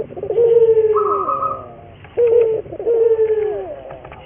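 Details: Local puter dove cooing as a training lure: two phrases of a crisp short coo then a rolling, descending croo, with a brief higher tone over the first.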